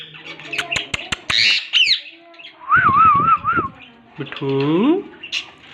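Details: Talking green parrots: sharp clicks and a brief high whistle, a wavering whistled trill repeated in quick undulations, then a long rising harmonic, voice-like call.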